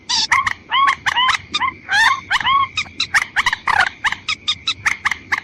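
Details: Watercock call used as a lure for females and males, a run of quick clipped notes, some bending upward like short squawks, repeated several times a second against a faint background hum.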